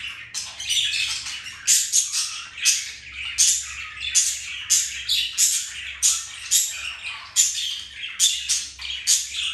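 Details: Two pet budgies flirting, mating and playing: rapid rhythmic bursts of harsh, squeaky chirps roughly every half second, with fine whistled flecks, sustained throughout.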